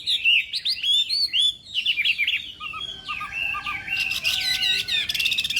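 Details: Chinese hwamei singing in the morning, a contest-style warm-up song: rapid varied whistled phrases of slurred and looping notes, followed by denser buzzy trills near the end.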